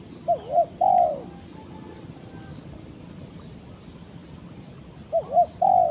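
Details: Spotted dove calling its companion: one complete phrase of two short coos and a longer falling note, then a long quiet gap before the next phrase begins at the end.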